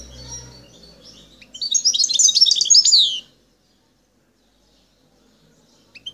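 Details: Single short burst of liquid twittering and high chirps from a wild Algerian European goldfinch recorded at Bouteldja, El Tarf, preceded by faint low rumble and followed by silence.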